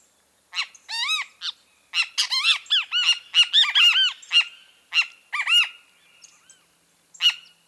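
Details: Great kiskadee (bem-te-vi) singing a loud, dense run of harsh, nasal, arched notes with strong overtones, delivered in quick bursts over several seconds, with a few softer notes at the end.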